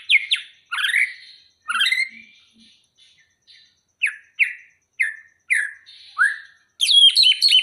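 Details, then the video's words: Song of an Aceh white-rumped shama readied for a singing contest: loud, varied phrases of sharp downslurred whistles and harsh chattering notes, repeated roughly every half second to a second and separated by short pauses, ending in a dense rattling burst. "Murai Batu Aceh Siap Tanding"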